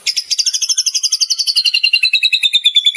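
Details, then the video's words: White-rumped shama in full, vigorous song with a rich repertoire of inserted phrases, used as a tutor recording for captive birds. A fast run of sharp, high notes, roughly eight per second, slowly drifting lower in pitch over three seconds against a clean, quiet background. "masteran burung murai batu gacor bongkar isian mewah"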